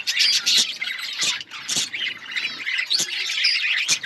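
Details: Many budgerigars in an outdoor colony chattering: rapid twittering and warbled notes, with sharp clicking or scratching sounds cutting through the flock noise now and then.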